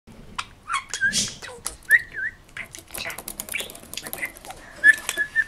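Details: Male budgerigar, three and a half years old, kept as a pet, excitedly chattering at a mirror on a morning after rain: quick whistled notes and sharp clicks in an irregular, tumbling stream.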